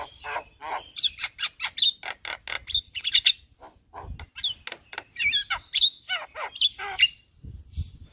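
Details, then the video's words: Javan myna in daytime in front of a house, showing off its varied song: quick bursts of harsh rasps alternating with sharp whistled slurs and squeaks, delivered in rapid irregular sequence. "Suara Burung Jalak Kebo GAcor Bongkar Isian Siang Hari Di Depan Rumah"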